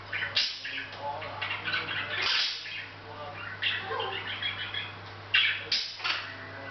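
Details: Pet Hahn's macaw chatting softly on its own, unaware of the camera, August 10th 2012; raspy, mumbled speech-like chatter in uneven bursts, with sharper scratchy notes near two and a half and five and a half seconds, low electrical hum beneath.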